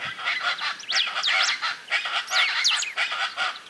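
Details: Chaco chachalacas in Córdoba, Argentina, 2022, heard from inside a car while driving, give loud, harsh, raspy calls in quick rhythmic bursts, about three per second, several birds overlapping in a raucous chorus.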